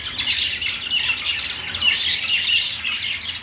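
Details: Parakeets chirping on a perch: loud overlapping warble of quick scratchy notes and sharp squeaks, two stronger bursts near the start and middle.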